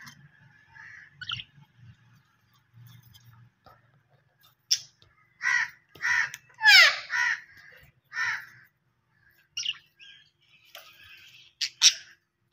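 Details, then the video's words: Australian parrot calls: after a quiet start, harsh, raspy squawks come in short separate bursts from the fifth second on, some loud and grating, others thinner and higher, with a faint low hum underneath. "Australian Parrot Voice Sounds"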